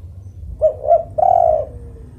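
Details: A spotted dove (tekukur) coos a single phrase: two quick soft notes followed by a long, steady coo that fades out, with a low hum underneath.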